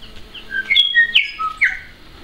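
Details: New Zealand bellbird (Anthornis melanura) singing in Kennedy's bush, Port Hills, Christchurch, New Zealand, October 2012: a short phrase of clear, ringing pure tones sliding between high and mid pitch, with a few sharp clicks.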